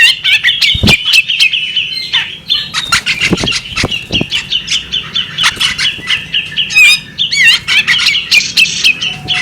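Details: Female bearded magpie robin calling in a steady chatter of clicks and squeaky chirps, interspersed with several dull thuds and wing flutters, and a few wavering whistled notes late on.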